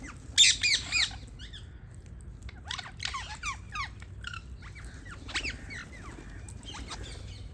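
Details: Parrots give a loud burst of high squeaky chirps, then a run of shorter sliding notes in irregular clusters, several birds calling over quiet low background hum.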